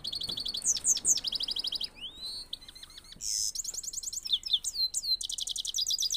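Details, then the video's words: Himalayan goldfinch singing: a fast, high twittering song of sharp chirps, rapid repeated notes and buzzy trills, broken by downward-sweeping whistles. The bursts come in quick succession with short pauses between, over quiet background. "Himalayan gold finch vs himalayan gold finch singing"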